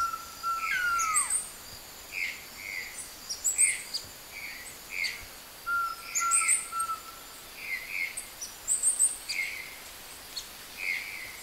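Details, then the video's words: Opal-rumped tanager in Porto Seguro, Bahia, Brazil, giving repeated thin, very high chip notes and short buzzy mid-pitched notes in loose series, with two long, drawn-out lower whistles from another bird. "Saíra Pérola (Tangara cyanomelas)"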